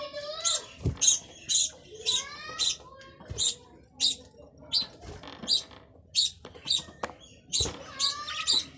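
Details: Repeated sharp, buzzy chirps from a budgerigar, the Australian bajri parrot, roughly two per second, some sliding in pitch, with a few low thumps between them.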